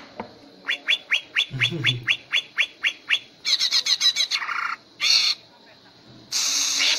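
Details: Greater green leafbird, cage bird trained for song contests, giving a run of about a dozen quick rising whistled notes, then bursts of harsh buzzy chatter and a loud hissing rasp near the end.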